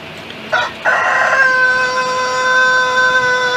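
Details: Rooster crowing: a broken, rough onset, then a long, steady, clear harmonic tone held for about two seconds before the clip ends.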